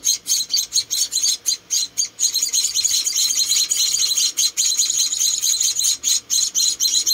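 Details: Rescued munia nestlings, four of them, during hand-feeding: shrill, high chirps in short pulses, then a long buzzy stretch of continuous calling.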